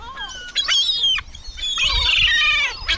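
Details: Gulls at a cemetery calling loudly: drawn-out nasal squeals that slide down in pitch, then a harsh, raucous burst of overlapping cries.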